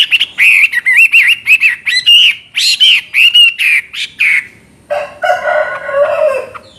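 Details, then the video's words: Chinese hwamei singing very loudly, a fast string of looping whistled notes about three per second, then a lower harsh, buzzy phrase. "Burung Hwamei Wambi NGOCEH Istimewa Gacor Suara Cristal Isian special"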